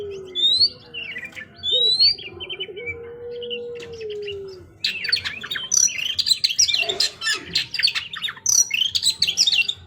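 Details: Oriental magpie-robin song: varied sweet whistles and short chattering phrases, a long low drawn-out whistle in the middle, then a denser burst of high twittering and scratchy notes.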